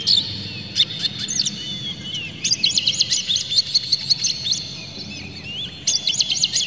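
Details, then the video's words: Oriental magpie-robin, spreading its tail and singing hard, a song meant to goad other magpie-robins: opening sharp high notes, a pause, then an extended run of fast, jumbled chirping, with a fresh burst near the end. "dijamin kacer langsung ngamuk2 dengar kacer ini bongkar emosi buka ekor ngobra full isian"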